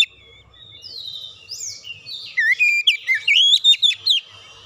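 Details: Oriental magpie-robin lure song: it opens with faint drawn-out whistles, then builds into a quick sequence of loud, clipped whistled notes and chirps.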